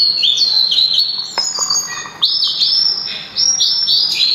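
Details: Sulingan, also called tledekan gunung, singing a loud, melodious song: bright whistled phrases of slurred notes dipping and rising, repeated in quick series with a brief pause near the middle.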